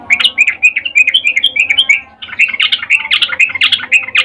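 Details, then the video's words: Female sooty-headed bulbul calling a male with a mating call: continuous lively chatter of bright, bouncing, slurred notes, a brief break midway, then another rapid burst. "Trucuk BETINA memanggil Jantan Suara Birahi Ngecuplik"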